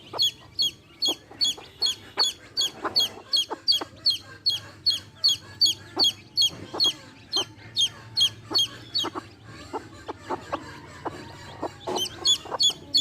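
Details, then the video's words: A long, regular series of shrill chick peeps, roughly two or three a second, from baby chicks with their hen, with quiet low clucks in the middle. "baby chicks chirping sounds"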